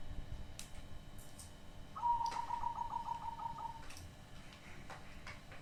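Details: Hybrid zebra dove with a strange voice: a short low note, then a rapid rolling series of soft purring coos for about two seconds, with faint clicks and background hiss.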